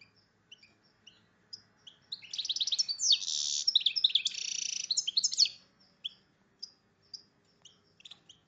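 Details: Hybrid of goldfinch and red agate canary, in breeding condition, sings: scattered high chirps, then a loud three-second burst of fast rattling trills and buzzy twitters, then sparse chirps again.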